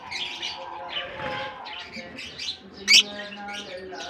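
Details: Many lovebirds chatter with high, scratchy chirps after being released into their colony in Germany for the summer season. One sharp loud snap stands out near the end.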